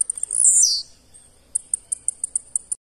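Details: Blue-black grassquit (Volatinia jacarina) competition bird singing at a tournament: a thin, buzzy, downslurred phrase, then about eight sharp, very high ticks, each roughly a fifth of a second apart.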